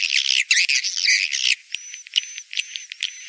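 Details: Edible-nest swiftlet mating lure call for the rainy-season breeding period: dense buzzy, squawking chatter for a second and a half, then quieter sparse clicks with thin, level high whistles repeating about every half second.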